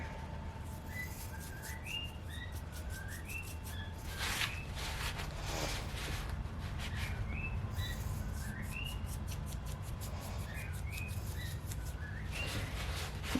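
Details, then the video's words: A pet male cockatiel sings his song indoors, a sign of a happy bird: short whistled phrases with rising and falling notes repeated over a steady indoor hum. "a singing cockatiel is a happy cockatiel so we always like to hear that sound I"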